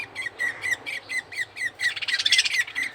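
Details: Budgie chick being fed by the male: a regular series of short rising-falling squeaks, about five a second, then a burst of loud raspy, clicking feeding sounds layered over continued squeaks.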